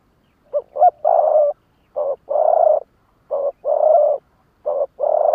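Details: Spotted dove decoy bird calling in the lụp đờn cò style to challenge wild rivals: four phrases, each a short double coo followed by a longer, throaty, even coo, repeated roughly every 1.3 seconds in a quiet setting.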